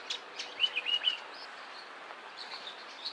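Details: African Paradise Flycatcher in a garden in the Eastern Cape, South Africa, giving short, high chirpy notes in a quick cluster, then fainter scattered calls over a soft background hiss.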